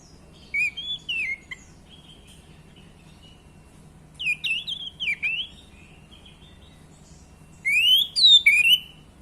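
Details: Orange-headed thrush song used to stimulate caged males into singing: three separated bursts of whistled, slurred phrases mixing rising and falling notes, with a faint low hum underneath.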